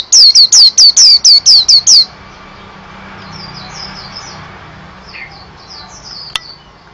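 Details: White-eye, locally pleci: about eight loud, very high downslurred chirps in quick succession over two seconds, then a soft, distant twitter and one sharp click.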